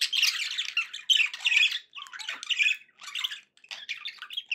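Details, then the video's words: Contented pet budgies producing loud, harsh, buzzy warbles and squeaky chirps in dense phrases broken by short silences. "happy budgie sounds"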